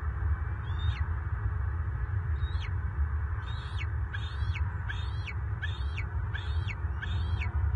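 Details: Southwest Florida bald eagles in March 2023, the nest's resident male grappling with an intruding adult; thin, high chittering notes with downward sweeps, sparse at first then repeated in a steady run, over a deep background drone.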